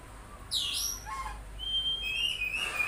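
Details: Oriental magpie-robin giving a loud downward-swooping note followed by a long, thin sustained whistle that wavers slightly, over steady low hum.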